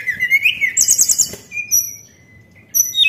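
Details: White-browed shortwing song used as a lure: a thin whistle sliding up then down, a burst of fast high chattering notes, then separate sharp high whistles after a pause.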